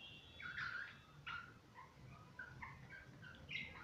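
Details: Pet budgerigars at play give a series of short chirps and warbled notes, some rising and some falling, spread unevenly over a few seconds, with a low steady hum underneath.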